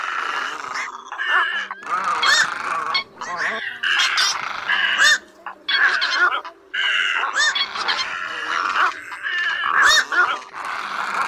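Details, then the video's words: Black-billed little egrets, a flock calling and fighting, used as a night net-trapping lure, give harsh, hoarse croaking squawks in dense, overlapping bursts with short pauses, over a faint steady hum. "Tiếng Cò Trắng Nhỏ MỎ ĐEN cò ngàng BẪY lưới đêm , Tiếng cò ngàng gọi bầy"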